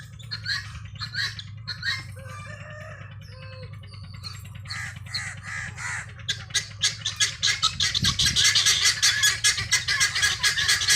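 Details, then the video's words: Helmeted guineafowl foraging free range; softer scattered notes and a few short tonal squeals at first, then a swelling, rapid stream of harsh clattering cackles that grows louder toward the end, with a brief low thud midway. "GUNea Fowl Saund and searching feed free range"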